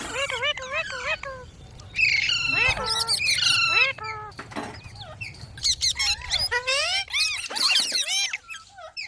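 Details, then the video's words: Green parrot calling: strings of bouncing, up-and-down whistled notes mixed with harsh squawks and clicky bursts, dense and irregular throughout. "Green Parrot Talking Natural Sounds | Mitthu Ki Awaaz | Tote Ki Awaaz"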